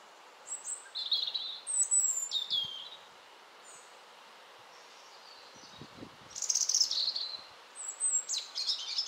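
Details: European robin singing at a home in Ljubljana on 20 October 2023: thin, high, wistful phrases of varied trills and sliding notes in short bursts separated by pauses, with a few soft low knocks in the background.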